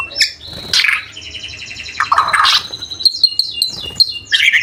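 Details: Murai batu (White-rumped shama) song with 'isian' fill and 'tembakan' bursts for training birds: a jumble of sharp whistles, buzzy notes and chatter, with short rapid trills.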